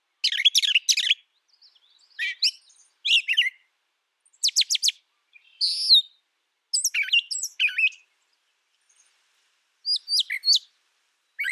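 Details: Long run of brown thrasher song, phrase after phrase of chattering chips, fast buzzy ticks, a clear rising whistle and slurred twists, each snippet brief and varied with gaps between.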